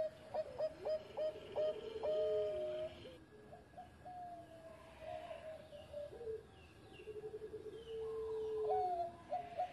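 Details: Former champion zebra dove singing its engkel song: staccato mid-pitched coos in quick uneven runs, then long level drawn notes and a few rising phrases, set against steady background hiss with faint higher chirps.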